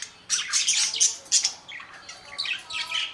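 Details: Budgie calls: a rapid string of scratchy chirps and squawks, loud bursts about three per second at first, then softer warbling notes.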